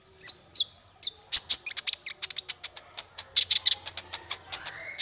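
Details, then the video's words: Male Van Hasselt's sunbird (konin) song for training songbirds: a few high whistles and chirps, then a quick series of sharp, bright ticks and trilled notes, closing with a thin rising tone. "Suara konin untuk masteran burung 100%jitu konin jantan"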